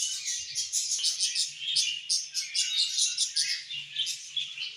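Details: Evening budgie song: dense, rapid chirping and twittering with sharp clicks and squeaky notes, pulsing in quick bursts about every quarter second, steady and unbroken throughout, with a faint low hum beneath.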